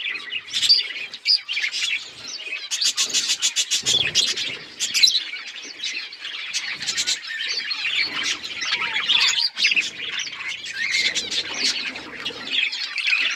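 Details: Several colourful budgies chirping together in dense, continuous chatter: high twittering and warbled notes overlap throughout, with bursts of rapid, rattling clicks around the third and fifth seconds and brief quieter gaps between busy passages.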